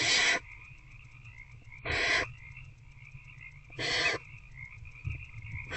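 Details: Barn owls in a nest box at night, February 19 2024, adult feeding an older owlet; loud harsh hiss bursts roughly every two seconds, each about a third of a second long, over a steady electrical drone.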